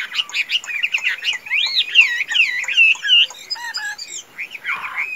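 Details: A tame hwamei, praised for strong singing and fighting, pours out a varied song of chattering notes, long looping whistles and sharp high trills, ending with a brief harsh note.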